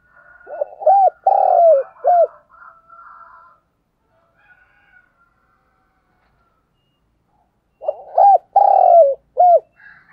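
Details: Morning lure call of a spotted dove, used to attract doves fast. Two cooing phrases arrive about seven seconds apart, each made of short hooked notes around a longer coo. A fainter, higher tonal sound follows the first phrase.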